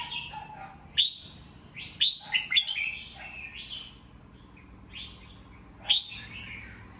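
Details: Red-whiskered bulbul singing at dawn in captivity, a recording meant to coach young birds' voices; lively phrases of sharp chirps and swooping whistles arrive in irregular bursts, with some lower softer notes in between.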